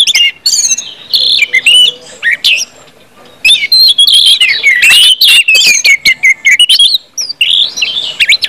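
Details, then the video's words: An Orange-headed thrush sings in 'ngeplong' style as a lure to get other birds singing. Quick whistled phrases are followed by a short quiet spell, then a long, dense run of looping, warbling whistles. "KUMPULAN ANIS MERAH NGEPLONG BIKIN CEPAT BUNYI DAN GACOR ANIS MERAH"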